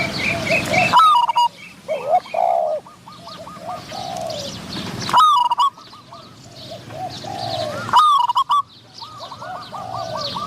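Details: Cooing of a Spotted dove decoy used to attract wild doves, answered by a wild bird of medium voice; three loud rolling coo bursts roughly every three seconds, with quieter repeated coos and faint chirping birds behind.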